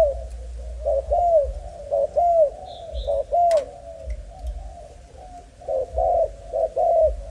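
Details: A young male spotted dove of a Malaysian strain, with a broken wing but lively, cooing. Soft mellow coos come in short phrases with pauses between them, and low rumbling noise sits underneath.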